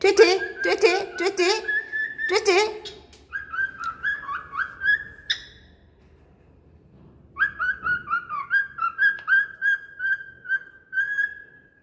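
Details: Parrot opening with several rough, harsher syllables, then switching to clear whistled phrases: a short rising run, a brief pause, and a final string of rapid, level whistled notes ending in a held tone.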